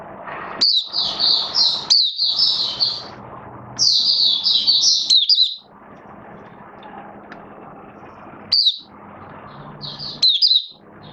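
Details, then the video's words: Captive oriental white-eye singing during form build-up, 19 September 2022: several loud bursts of rapid high twittering warble, each a second or so long, separated by quieter gaps with low background hum, and short sharp notes late on. "Mata Puteh V2 Raja Buka Sing Build Up Form"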